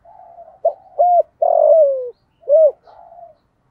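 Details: Decoy spotted dove with a "giọng thổ" voice, calling to lure other doves: soft buzzy lead-in, two short hoots, a long falling coo and a final hoot, ending in a quiet trailing note.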